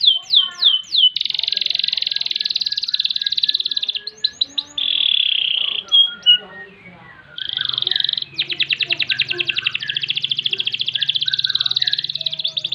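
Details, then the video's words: A canary sings a long, loud, continuous song, the kind used as a master or lure song for training, with rapid trills and rolls, sweeping upslurred notes and buzzy, sustained high passages. "Kenari Gacor Panjang Ngerek Ngerol Nembak"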